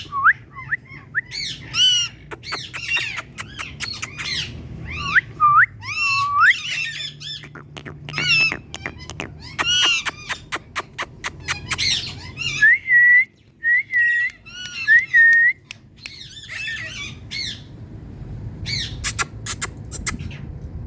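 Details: Female Indian ringneck parakeet, a talking pet, giving cat-like calls: short rising whistled mews, harsh squawks and bursts of rapid clicking, with a run of level whistled notes near the end, over a faint low hum.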